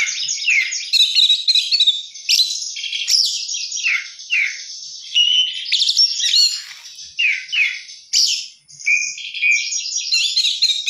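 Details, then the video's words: Oriental magpie-robin singing a richly varied song: high scratchy trills interleaved with short falling whistles and sharp chips, in a continuous chattering flow with brief gaps. "kacer gacor isian mewah"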